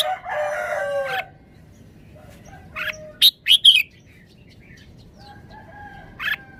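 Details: Caged red-whiskered bulbul performing forest-style song phrases: a cluster of three loud, sharp, high chirped notes in quick succession mid-clip, with a lower harmonic crowing-like sound at the start and again near the end.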